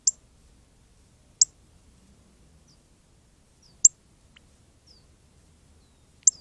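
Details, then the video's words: Very red northern cardinal chirping while bathing in the Arizona desert: four short, sharp, very high chips spaced irregularly about one to two and a half seconds apart, with quiet pauses between them. "Very Red Cardinal Chirps and Bathes"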